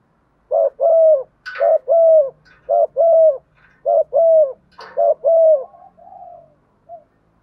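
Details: Decoy spotted dove cooing to bring wild doves and the flock closer: a steady run of paired low coos, each short note followed by a longer one, about one pair per second, fading into a softer trailing coo.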